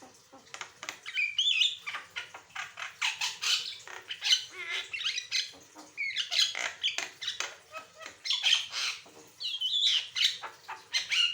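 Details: An Asian pied starling pours out a long, varied song for training other birds, rich in grating rasps, squeaky chirps and sharp whistles, almost without pause.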